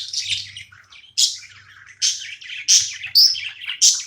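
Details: Budgerigar chirping while playing indoors: a series of short, sharp, bright chirps, about one every half second, some with squeaky whistled peaks, over a faint low hum.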